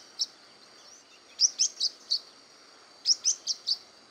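Blue-winged parrotlet giving high, sharp chirps in quick bursts of four, one note every fifth of a second, with a faint steady hiss behind.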